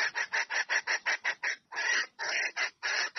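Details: Female red junglefowl calling a male to come mate: a fast, even series of about nine brief rasping notes, then several longer, drawn-out harsh notes.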